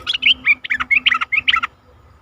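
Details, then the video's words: Red-eyed bulbul from forest, a recording used to lure wild bulbuls, giving a quick, bubbling phrase of warbled notes that rise and fall, lasting under two seconds. "suara merbah mata merah Untuk pikat & pancingan burung merbah"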